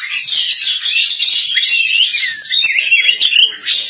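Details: A female Oriental magpie-robin in full song, a loud unbroken stream of high twittering and scratchy notes mixed with short whistled slurs.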